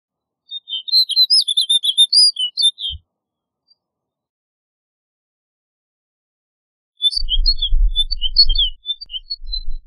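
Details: Snow bunting singing: two short, quick twittering phrases of high chirps and warbled notes. The first comes near the start, and the second follows a pause of about four seconds over a low rumbling, wind-like noise.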